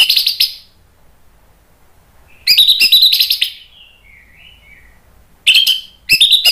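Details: Orange-headed thrush, played to provoke a silent bird into singing back in ngeplong style. Loud bursts of rich, scratchy, high twittering phrases are separated by pauses, with a soft, wavering, lower warble trailing between the bursts.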